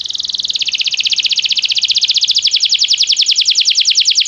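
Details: Canary song used to train canaries to sing, from a Belgian canary training session: a long fast trill of repeated high notes, around two and a half per second at first and speeding up, steady and bright throughout.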